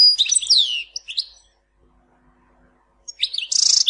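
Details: Goldfinch from Tizi Ouzou giving a short phrase of sliding high notes, then silence, then a dense buzzy trill.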